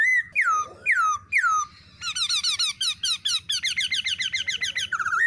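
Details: Female black-throated laughingthrush giving three loud, sliding down-slurred whistles, then rapid, rhythmic chattering notes repeated several times a second, ending on a clear whistle.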